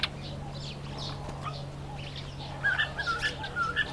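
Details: An African green pigeon in a nectarine tree gives short, clear whistled notes in a loose string over the final second and a half, after faint chirps, over a steady low hum.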